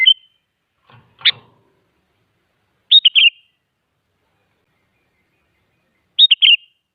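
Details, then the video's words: Sooty-headed bulbul song played as a lure so other bulbuls reply: a sharp clipped note, then two brief rich warbled phrases of quick liquid whistles spaced about three seconds apart, clean and quiet between them. "Suara Burung Kutilang Gacor Siap Buat Pancingan Jadikan Kutilang Malas Ikut Nyaut"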